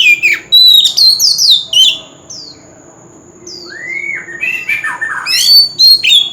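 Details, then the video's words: Oriental magpie-robin, wild-caught, in a powerful song meant to stir birds into singing. Loud, varied whistled phrases with quick sweeping slides give way to softer descending whistles and a rising note. Then comes a final energetic burst of sharp, jumbled high notes. "Chòe Than Bổi Nghe Là Hót – Âm Thanh Kích Hót Cực Mạnh"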